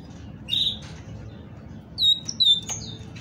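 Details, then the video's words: Great tit female singing to encourage males to sing: a clear high whistled note, a short pause, then three quick bright notes in a row, set against a faint low hum. "تغريد أنثى طائر الحداد لتحفيز الذكور على التغريد"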